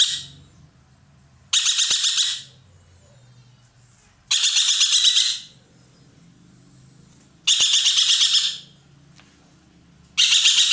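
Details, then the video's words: Roller, a loud, sweet-voiced bird popular in Indonesia as a tutor bird for songbirds, singing nonstop: four harsh, rasping, broadband bursts, each about a second long, spaced roughly three seconds apart over quiet low background hum. "burung ekek Keling gacor nembak"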